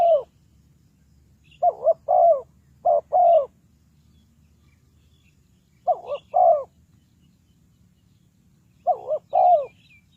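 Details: Decoy spotted dove luring wild birds toward a trap, giving clear, hollow coo phrases of three notes. The last note is drawn out and wavering, and phrases repeat about every three seconds. Faint high chirps are heard in the background.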